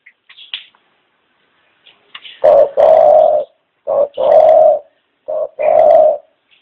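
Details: Low mellow dove coos in three short-long pairs, each clipped opening note leading into a sustained hum-like coo, after faint higher chirps from small birds at the start.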